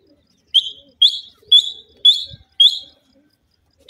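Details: Grey francolin, one of a pair, calling in the evening: loud, sharp, high notes that rise briefly and then level off, repeated about twice a second, five in a row, against a quiet background.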